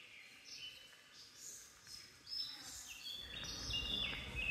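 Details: A common blackbird (Turdus merula) in the cloister garden of Santa Chiara Monastery, Naples, sings a run of short, high, varied phrases amid serin and blackcap song, with a low distant rumble building toward the end.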